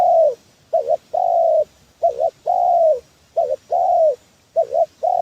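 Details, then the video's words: Trapping lure of a spotted dove: low mellow cooing in which a wavering double note precedes a sustained, slightly descending coo, the pair repeated five times. "Suara pancingan tekukur"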